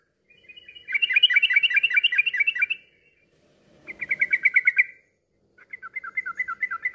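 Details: Yellow-vented bulbul in fast ropel-style song for coaxing silent birds to sing: three rapid chattering trills of evenly spaced bright notes, each lasting one to two seconds, separated by short gaps.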